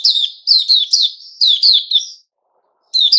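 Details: Male puteh raja bulbul kept in captivity, 10 July 2021, delivering quick bubbly whistled phrases that slur downward, two clusters of three to four notes, then a pause before another phrase begins.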